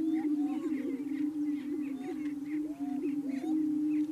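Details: Greater prairie chicken males booming at a lek in Yuma County, Colorado, April 14, 2019, sound made by inflating colored air sacs in courtship; deep sustained cooing drone overlaid by looping whoops and soft cackles.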